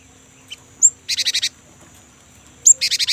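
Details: Young great tit used to stir kept birds: a sharp high upswept note followed by a buzzy, harsh rattle of about five rapid pulses, the pattern given twice.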